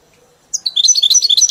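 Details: Caged European goldfinch tutored on the 'mili' song style bursts into rapid, sparkling high twitters and chirps in a fast rhythmic run.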